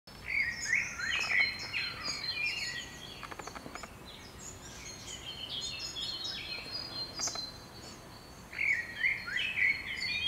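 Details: Common chiffchaff chicks: bursts of thin, high-pitched chirps and short descending notes, clustered at the start and again near the end, with faint rapid insect-like ticking in between.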